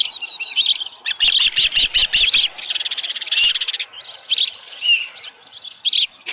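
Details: Osprey at the ranch nest at about 6:52 am on 24 July 2018, with a headless fish. Rapid, loud chirps form a quick stuttering series, then give way to scattered high whistles.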